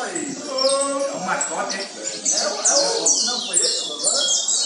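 Chestnut-bellied Seed Finch song: rapid, bright whistled phrases of quick rising and falling notes, high-pitched and run together, over a man's voice at the start.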